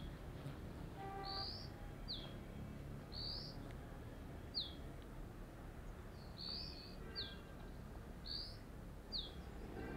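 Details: Dark-grey bush chat on a deodar twig, Jabbarkhet sanctuary, western Himalaya, calling loudly in paired phrases: a high whistled note then a falling slur, repeated every couple of seconds, with faint other bird notes and low ambient rumble.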